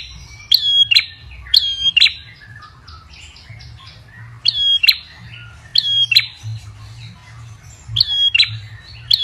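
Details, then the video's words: Ashy tailorbird call played as a lure: loud, sharp paired chirps with a bright whistled note, repeated in clusters about every second, with faint low background hum. "Pancingan prenjak kepala merah paling ampuh"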